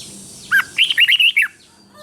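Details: Thai caged red-whiskered bulbul giving song to excite other bulbuls, southern master style for training young birds: one clear phrase, a lower opening note followed by five rapid, lilting whistled notes within a second.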